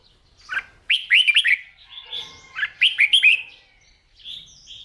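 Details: Newly caught red-whiskered bulbul stimulated to sing at morning practice; two rapid runs of four bubbly, upslurred whistles, separated by softer higher notes.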